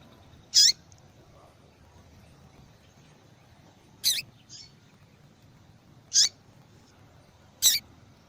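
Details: Female double-collared seedeater calling insistently, a call that draws males and prompts them to sing; four crisp, very high chips separated by gaps of one to three seconds, one followed by a faint softer note.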